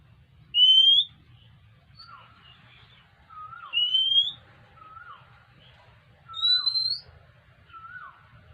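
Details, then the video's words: Oriental magpie-robin coming to ask for food: bright rising whistles near the top of its range alternate with lower, short down-slurred notes, each phrase spaced a second or two apart, over a steady low background hum. "เสียงนกกางเขน : น้องมาขออาหารกิน"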